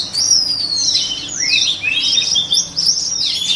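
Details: White-rumped shama song for training the voice of other shamas: a continuous, rich run of high whistled phrases with quick rising and falling slurs and twittering notes, barely pausing, with a quiet background.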